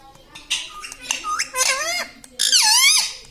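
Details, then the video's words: Talking parrot makes short squeaks and clicks, then two loud, hoarse, falling-and-rising phrases like squeezed-out words. "Papa Mummy Bolne Wala Tota - Talking Parrot"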